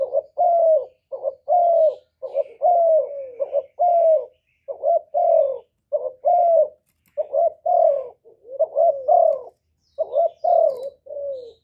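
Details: Loud spotted dove song used to rouse caged doves into singing. Deep, rounded coos repeat in rhythmic two- and three-note phrases, about fifty a minute, for the whole stretch, against a quiet background.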